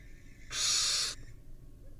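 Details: A single barn owl nestling hiss during a tug-of-war among nestlings: one steady, breathy screech lasting about two-thirds of a second against a quiet background.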